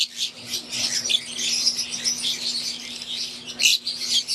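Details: Many aviary lovebirds, green wild-type Fischer's and Euwing, twittering: thin chirps and squeaks overlapping steadily, one sharper louder burst late on, constant low hum present.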